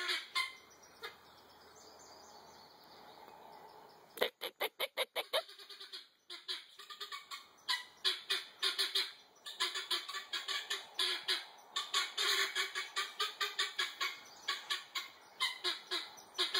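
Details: Guineafowl making a lot of chatter when disturbed: a few seconds of low background, a sharp burst of rapid clicks, then harsh repeated grating calls building into a steady, loud rhythmic clamor.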